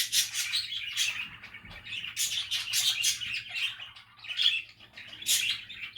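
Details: Happy, relaxed budgie chatter, a steady stream of scratchy warbles and quick chirps with frequent brighter squeaky notes, barely pausing throughout.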